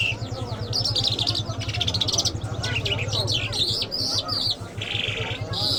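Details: Mashhadi-type Iranian lark pouring out dense, jumbled song of chirps, rattles and high whistled fragments in near-continuous phrases, backed by a low droning hum.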